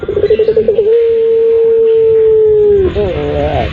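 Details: Puter pelung turtle dove calling to draw in other birds: around eight rapid pulsed coos, then a sustained low, steady coo of nearly two seconds that falls away into wavering, rising rolled notes.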